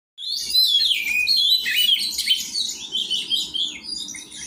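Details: Kacer, the Oriental magpie-robin, in song training alongside other kacer birds: a rapid, jumbled stream of high chirps and trills, pouring out continuously and fading slightly toward the end.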